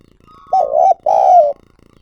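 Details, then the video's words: Spotted dove used as a calling decoy: two loud drawn-out coos in close succession, the first wavering, the second sliding gradually lower. "Tiếng Chim Cu Gáy Mồi Gáy Gọi"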